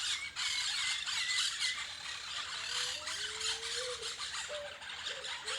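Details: A flock of parrots near their many nests at Laguna de los Padres, Argentina, 2023, chatters together in harsh, rapid squeals and screeches, many calling at once, with a few lower whistled notes beneath.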